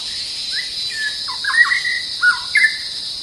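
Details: White-rumped shama played as a decoy to lure a territorial resident bird; short whistled and slurred notes, some rising and falling, in broken phrases over a steady high insect drone.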